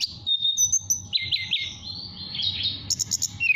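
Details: Whistling nyuling song of a caged mountain tailorbird in Purworejo, Central Java, meant to call a female: thin high whistles, a sequence of descending slurs, a long sliding tone and a few sharp very high chips.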